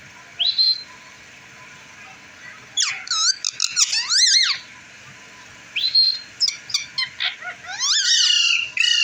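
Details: Pet green rose-ringed parakeet from Pakistan, talking and saying "mittu": short bright squeaky whistle, then bursts of shrill harmonic chattering syllables, a pause, another whistle and a second run of rapid, raspy speech-like phrases.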